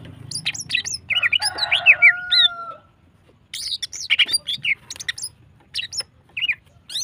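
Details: Female greater green leafbird singing to stimulate other birds: rapid varied whistles and sharp chirps in a long phrase, a brief pause, then scattered bright slurred notes. A faint low hum runs underneath.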